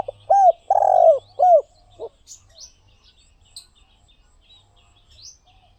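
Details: Spotted dove delivers one phrase of hollow arched coos around a long rolling note, then falls silent while scattered thin high chirps and whistles of other birds continue.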